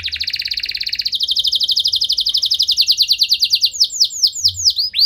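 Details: Lively canary song meant to rouse other canaries into singing: a dense, fast trill that gradually slows into distinct descending whistled notes, ending with a few arching slurs.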